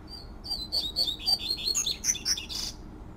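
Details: Double-collared seedeater in the wild singing the fluted 'tui tui' song style: one fast phrase of high, clear, slurred whistled notes that climb in pitch and end in a brief rough buzz, over a low background hum.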